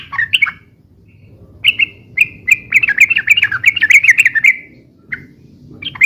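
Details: Noisy, rapid-fire yellow-vented bulbul song used for luring and tutoring birds: a few scattered chirps, then a lively run of bubbly, wavering notes, with soft low background rumble.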